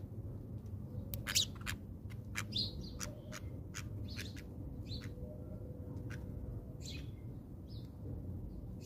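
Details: House sparrows feeding on birdseed at a South African feeder; a lively run of quick, sharp chirps in irregular bursts, with a few softer notes between, over a constant low-pitched hum.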